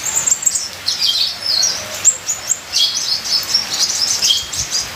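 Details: Ninja sunbird song with full varied content: busy, very high-pitched chirps and trills running almost continuously, with a light patter of rain behind.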